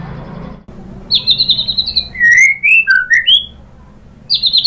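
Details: White-rumped shama song used to provoke a rival bird into singing: a short silence, then a rapid run of high whistled trills, then lower sliding whistled notes, ending in another high trilled burst.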